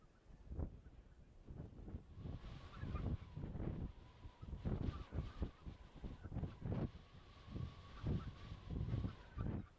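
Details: Barnacle geese calling in Uitkerkse Polder, Belgium, in February: many short, barking yelps overlapping irregularly from a flock, with a steady faint background hum.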